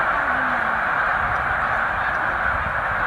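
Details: Vast flock of snow geese, about 100,000 birds, at Middle Creek wildlife refuge on spring migration; dense uninterrupted honking clamor with one drawn-out lower call at the start.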